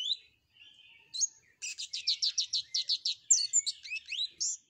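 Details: Flowerpecker in active canary-style song: a soft wavering note, a pause, then about ten evenly repeated buzzy high notes followed by quick varied whistled chirps.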